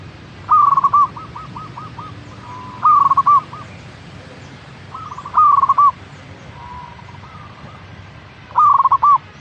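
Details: Four loud cooing phrases from a local zebra dove (perkutut), spaced roughly two to three seconds apart. Each is a quick stutter of rolled notes closing on a longer coo, with quieter matching phrases between them.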